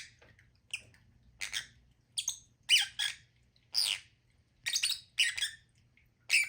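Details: Repeated grating squawks from lovebirds, each harsh call lasting a fraction of a second and coming about every half second to second, fairly loud against a low room hum.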